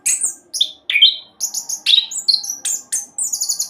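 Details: Orange-headed thrush lure song in fast roll style: clear high whistled notes, short slurred phrases and a buzzy trill-like series, separated by very short gaps.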